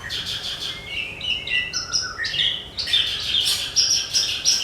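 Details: Javan bush lark song used as a training recording to prompt other birds to sing: a fast, varied stream of high chirps, trills and clear whistled notes, with a thin rising slide early on and buzzy, mimicking phrases throughout.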